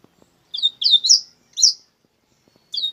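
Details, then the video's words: Double-collared seedeater singing short, high, sweet, slurred phrases in separate bursts, with a whistled ending note after a pause, over faint low taps. "coleiro bruto"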